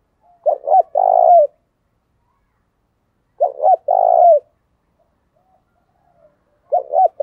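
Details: Spotted dove decoy bird with the thổ voice style, cooing intensely to lure wild doves: three phrases about three seconds apart, each a few short stuttering coos then a long rolling coo that drops at the end. Quiet background.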